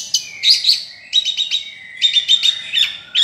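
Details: Long-tailed shrike delivering a dense, jumbled song of high squeaky notes and thin sustained whistles, broken into three rapid phrases with short pauses between them.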